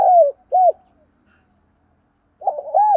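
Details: Spotted dove used as a lure bird, cooing to provoke wild doves: two low, arched coo notes in quick succession, a pause, then a fuller phrase of rolling and arched coos, with no other sounds.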